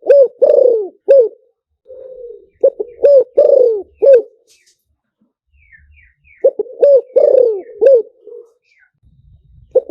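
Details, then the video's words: Spotted dove singing a decoy song meant to draw wild doves in fast, in the lew tan style: repeated phrases of low, gruff coos, quick stuttered notes then a long bending coo, recurring about every three seconds, with faint chirps between. "เสียงต่อนกเขาใหญ่หมานๆ, เสียงนกเขาใหญ่ ต่อเข้าเร็ว เสียงหลิ่วตัน"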